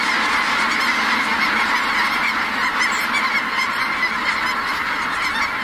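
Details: Close, intense honking from snow geese lifting off at Merced NWF, a thick chorus of barking calls that never pauses, with faint higher squeaks threaded through.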